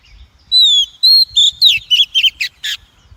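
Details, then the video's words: Oriental magpie-robin hen calling, a sound used to provoke and train males and to trap them; two long clean whistles followed by a quickening series of buzzy, twisting chips. "Tiếng chim Chòe than mái kích bổi, luyện giọng bổi, bẫy chòe"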